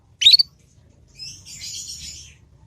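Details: Juvenile Yorkshire canary practising the 'ngriwik' sound, meant as a lure for other canaries to copy: one bright upward-sweeping chirp, then a second of soft, rapid, high warbled twittering.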